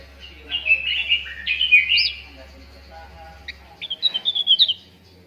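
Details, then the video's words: Cucak ranting used as a lure recording to get contest birds singing quickly: high, sliding whistled phrases and wavering notes, then a burst of rapid bright chirps near the end, with a faint low hum. "PANCINGAN CUCAK RANTING BAHAN AGAR CEPAT GACOR"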